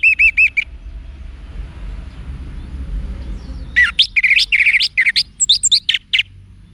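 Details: Orange-headed thrush giving wiksar song for training cage birds. A short run of ringing repeated notes is followed by a long, fast, varied stream of sharp whistles and chirps that rise and fall, over low background noise.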